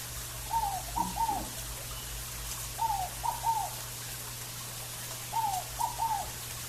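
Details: Scaled dove, known locally as fogo-apagou, singing in a natural setting: soft cooed three-note phrases, the first falling and the next two short and arched, repeated three times about every two and a half seconds over a steady low hum.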